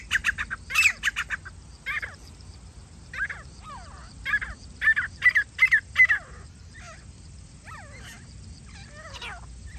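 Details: Grey francolin at a hunting and trapping site: loud, harsh, high notes in quick clusters, several closely repeated calls, then softer scattered chirps over a low rural hum.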